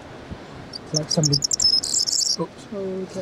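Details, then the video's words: Corn bunting song at Balranald, North Uist, 15 May 2014: a short run of dry ticks that quickens into a high, rattling jingle like shaken keys, with a man talking in Spanish over it. "Corn Bunting"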